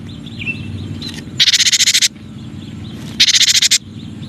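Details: Cinereous tit (gelatik batu) recording for song training: two harsh buzzy rattles, each a fast string of about ten rasping pulses lasting half a second, separated by noisy background with faint distant whistles.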